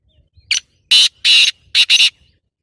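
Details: Black francolin calling: a short rasping note, then two long harsh grating notes, then a quick doubled note, all loud and clear against a quiet background.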